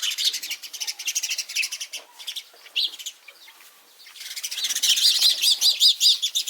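House sparrows chirp in busy overlapping bursts, bright chirps about twice a second, quieter mid-clip, then a loud run of repeated chirps at the end.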